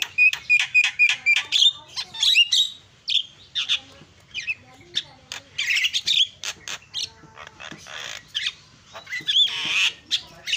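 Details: Javan myna (jalak kebo) in full 'isian' song, a fill-in style: a run of clear whistled notes repeated about four times a second, then a varied stream of harsh chatters, squeaks and sharp high whistles.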